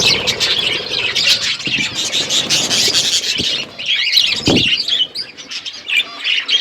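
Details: Parrots chirping while they eat, dated February 25, 2024: rapid high twittering from several birds, a few rising squeaky notes later on, and short low knocks or thumps in the background.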